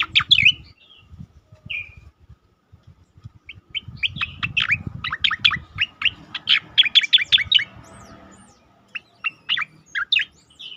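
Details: Cicakoreng, the striated grassbird, delivering 'tembakan' song meant for tutoring and triggering other birds: clipped high chirps in quick volleys, one slurred whistle, then a dense rattling series of sharp notes and a final short burst.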